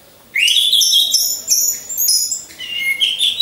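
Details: Captive orange-headed thrush kept in a hanging cage in a row for training sings a continuous, rich, high phrase: a rising whistled slur, then layered buzzy and warbled notes with no break.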